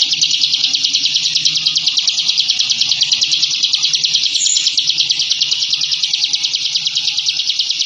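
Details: Rapid ngebren song of a captive bar-winged prinia, known locally as ciblek, used to intimidate rival birds: a very dense, high, buzzy trill of quickly repeated notes continuing steadily throughout, over faint low hum.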